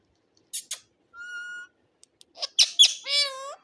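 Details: Ring-necked parakeet mimicking human speech in foreign words: two sharp clicks, a level whistled tone, then a burst of gravelly, throaty word-like syllables sliding downward.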